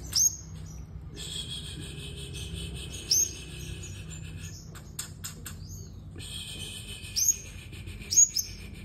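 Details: A sunbird in fighting song gives sharp, very high, thin chirps a few seconds apart over a steady high-pitched hiss and trill in the background.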